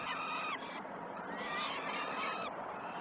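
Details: Peregrine falcon young begging while being fed at Great Spirit Bluff, recorded by live nest camera early on 12 June 2018. Two harsh, slightly falling screeches are heard against a steady noisy background.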